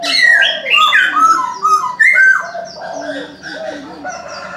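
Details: Chinese francolin in the morning giving a loud, rasping series of falling stepped notes in quick succession, fading into softer repeated notes, with faint chirping of other birds behind.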